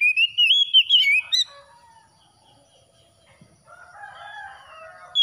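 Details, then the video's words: Oriental magpie-robin after dawn: a rapid run of warbling whistles for over a second. A faint, low, drawn-out crowing-like sound is heard later. "TERAPI KACER HABIS SUBUH PEMULIH AMPUH KACER SETRES CEPAT GACOR"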